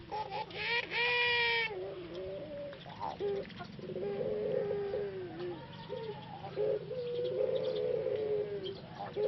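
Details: A captive male Barbary (ringneck) dove, kept alone for treatment after losing his voice, possibly from a cold or flu, after six months in a breeding cage in Solo, Indonesia, gives low, hoarse, drawn-out coos at an uneven pace, with a brief higher chirp near the start and a steady background hum.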